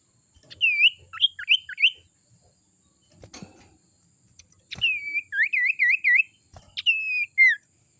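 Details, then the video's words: Call of a young forest sirtu, used to draw in wild birds: quick runs of looping whistled notes, first a group of four, then a longer series of five or six, then a falling slur, with faint clicks between. "suara sirtu muda hutan ini suara ampuh pancingan"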